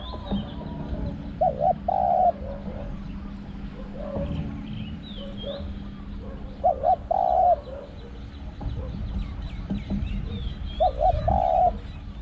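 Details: Spotted dove at a forest luring session, calling with a loud ringing 'hong khu' style. Paired short coos are followed by a longer coo, repeated about every five seconds, against background rumble and faint high chirping insects.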